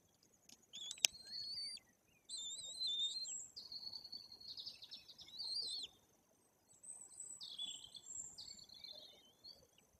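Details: Nearly three-week-old white-tailed eagle chicks at a nest in Bory Tucholskie, Poland, cared for and fed by their parents; a run of high, thin whistled squeals in several bursts, some slurred up and down, with a faint steady hiss behind.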